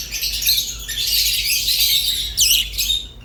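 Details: Rosy-faced and Fischer's lovebirds give a steady rush of high, grating chatter, then a sharp swooping squeak near the end before the sound trails off.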